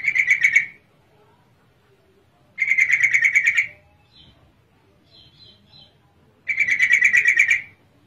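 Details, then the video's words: Female yellow-vented bulbul used as a lure to get reluctant males to sing: three loud, rapid, rattling chatter bursts, each about one second long, separated by pauses of roughly two to three seconds, with faint soft notes in between. "pancingan trucukan betina sangat ampuh"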